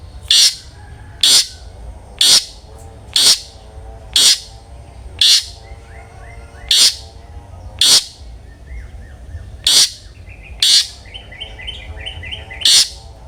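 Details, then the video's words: A long-tailed shrike sings in the loud 'ngeplong' style meant to coax other shrikes into singing. Harsh, scratchy notes repeat roughly once a second, with faint high chirps from other birds between them. "cendet gacor NGEPLONG sangat ampuh buat PANCINGAN cendet agar RAJIN BUNYI"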